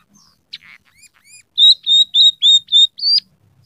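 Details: Scaly-breasted munia, caged song bird: a few soft scratchy notes lead into six loud, clear whistled chirps repeated about every quarter second, each slightly rising, high-pitched and sweet.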